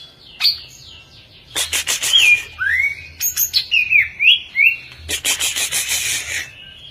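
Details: Champion caged greater green leafbird from Indonesia delivering a varied song: slurred whistles rising and falling, a swooping down-up note, and dense buzzy scratchy chatter in rapid runs.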